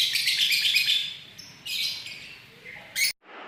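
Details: Lovebird giving 'ngekek' chatter, 31 January 2019: a burst of high squeaky twittering, a short pause, another chattering burst, then a brief sharp squeal before the sound cuts off.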